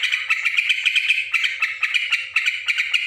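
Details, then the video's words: Yellow-vented bulbul chattering noisily, with quick bursts of harsh, slightly squeaky notes repeated several times a second in an uneven, restless rhythm, and a faint low hum behind. "suara trucukan ribut"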